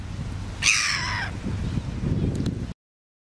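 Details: Red-billed gull in New Zealand, where the species is abundant, giving one harsh, nasal, harmonic squawk that slides slightly downward over about half a second, with people talking quietly and low rumbling background noise.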